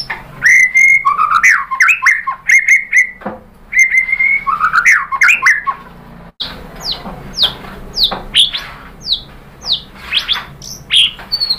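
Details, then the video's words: White-rumped shama song used to provoke other birds to sing: loud, sustained whistles with tumbling fast phrases, then after a brief break a series of sharp, descending, chirping notes. "KICAUAN MURAI BATU MERANGSANG EMOSI jadi NYAUT GACOR BONGKAR MATERI ISIAN | PANCINGAN MURAI"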